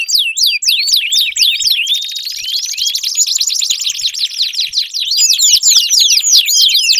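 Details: Canary song to encourage a silent canary: quick downward-sweeping notes give way to a buzzy sustained trill, then fast rising and falling phrases return.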